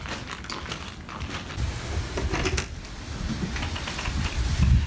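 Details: Low rumbling noise with rapid clattering knocks and rising loudness, without any animal call.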